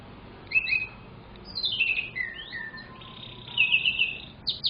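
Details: Young canary used as a lure bird, singing lively: scattered whistled notes, slurred glides and a brief fast rattle, separated by quiet gaps over faint background noise.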